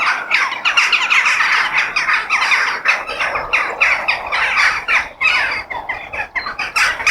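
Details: Crows in nature: a dense chorus of harsh, raspy caws from several birds, overlapping bursts repeated about three times a second, with no clear pause or other sound.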